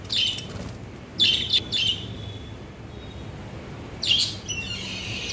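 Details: Caged lovebirds reacting to a new cage: short bursts of high, shrill chirping and twittering, three clusters of rapid notes separated by quieter pauses, with faint background hum.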